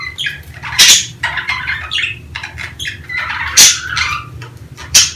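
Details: Mating-season budgerigar chatter, used to encourage hens to breed: fast squeaky chirps broken by three loud sharp squawks, with a low hum behind.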